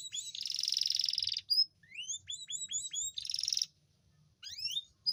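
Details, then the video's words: Canary singing to bring reluctant females into breeding condition: a long dense buzzy trill, a series of quick rising chirps, a second short buzzy trill, then more upslurred notes. "Suara memancing kenari betina susah kawin"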